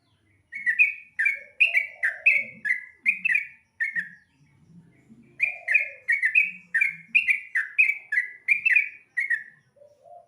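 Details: Yellow-vented bulbul (trucukan) fed a diet of dried rice, singing at dawn: bursts of bright, chirpy notes that rise and fall in quick runs, two long phrases split by a short pause, with faint low rustling in between.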